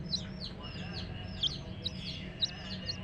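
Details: Coloured chicks give high, thin, descending peeps in an overlapping stream, with a steady low hum underneath.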